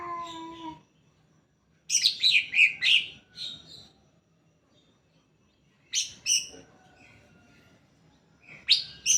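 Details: Greater green leafbird song meant to prompt other leafbirds to sing: a rapid burst of four or five shrill chirps, a pause, then further high chirps, after a short low tonal note.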